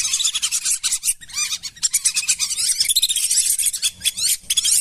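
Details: Lesser whistling duck lure recording meant for calling wild birds in rice fields and wetlands: a dense, continuous chorus of many overlapping high, rising whistled notes with quick chattering bursts and no pauses.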